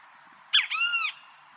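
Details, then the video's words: Great kiskadee singing in nature, a single loud phrase: a sharp, harsh opening note, then a long, ringing, slightly arched second note lasting about half a second. "BEM-TE-VI CANTANDO NA NATUREZA - O CANTO DO BEM-TE-VI"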